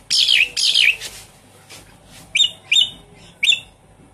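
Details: Lure recording of a Javan pied starling for coaxing a stressed caged bird to sing: two loud harsh buzzy phrases, a pause, then three short sharp chirps spaced about half a second apart.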